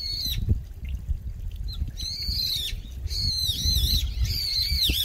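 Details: Very noisy brown-eared bulbul calling near a mountain stream in a Korean park in late autumn; piercing, screechy calls in quick succession, each with a wavering downward slur, over a low rush of flowing water.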